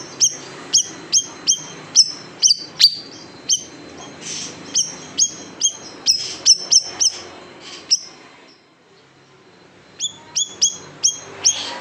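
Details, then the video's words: Big siri-siri bird giving 'tembakan pedas' song for training caged birds: rapid piercing high chirps, each a quick downward flick, in fast runs, a brief quiet pause, then a fresh burst of chirps. "SIRI SIRI BESAR TEMBAKAN PEDAS | MASTERAN BURUNG KICAU"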